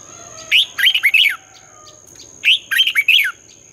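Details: Morning contest song of a red-whiskered bulbul, used as lure song for newly caught birds: two lively phrases, each a sharp opening note then a quick run of warbled, rising and falling whistles, about two seconds apart.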